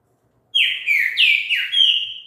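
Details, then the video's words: Green-winged saltator song played to encourage another bird to sing: a loud whistled phrase of four slurred notes, each dipping downward, ending on a steadier sustained whistle, with no other sounds. "TRINCA FERRO CANTO ESTIMULA O SEU A CANTAR"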